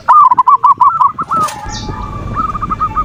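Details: Zebra dove (perkutut) manggung as a lure to excite opponents; a quick burst of rapid rolling coo notes, a pause with a high chirp from another bird, then a softer run of coos.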